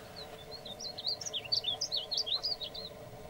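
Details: One male painted bunting song phrase: about three seconds of bright, fast, high-pitched warbling with chirpy slurred notes that grow louder midway, over a constant low background hum.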